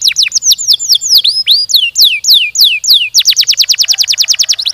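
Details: Canary in dense, fast song recorded as a lure for other canaries: loud downward-swooping whistles at varied pitches, followed by a very rapid series of repeated falling notes.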